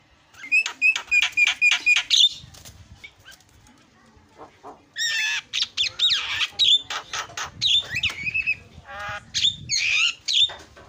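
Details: Starling lure sound to set other birds calling: rapid repeated whistled notes at the start, then long harsh grating squawks mixed with clicks and short whistles.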